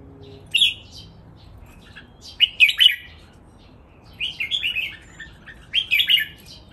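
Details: Caged red-whiskered bulbuls, three birds matched against each other, sing a brisk training song with counted phrases; four separate bursts of quick bubbling whistled notes come every one to two seconds, with quiet between them.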